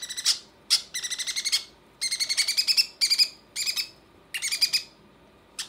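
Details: Conure chicks being fed by their mother, giving rapid bursts of harsh, buzzy, rasping begging notes in quick runs separated by short pauses, with a final brief burst at the end.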